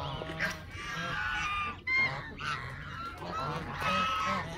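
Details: Canada geese giving loud nasal honks, several overlapping harmonic calls in quick succession with a low hum in the background.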